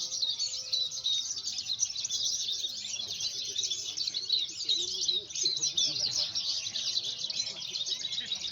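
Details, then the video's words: Sumedang, West Java, Indonesia: Javan bush lark delivering a long, fast, high warbled song of packed chirps and trills, continuous throughout, with faint lower sounds underneath. "BRANJANGAN SEJAWA BARAT"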